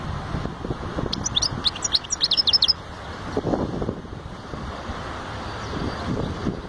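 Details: European goldfinch song: a short burst of rapid, high, tinkling twitters lasting under two seconds, then only low rumbling background noise.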